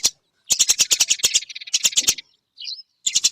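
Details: Eurasian tree sparrow from a long masteran recording made to train songbirds: quick strings of loud, rattling chirps with short pauses, a brief buzzy note, a single squeak, then another chirping burst.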